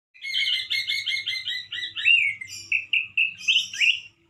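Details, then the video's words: Male orange-headed thrush singing loudly and harshly, as in the wild, with still limited variety: a rapid string of doubled, buzzy high notes, then short slurred whistles that rise and fall, each phrase clipped and separate. "ANIS MERAH GACOR SUARA KERAS DAN KASAR SEPERTI DI ALAM LIAR-ANIS MERAH JANTAN GACOR TELER"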